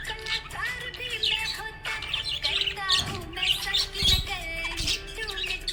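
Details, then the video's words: Cheerful budgerigar warbling and chirping rapidly, with a few soft thumps and background music with melodic lines. "Happy budgie chirping sound"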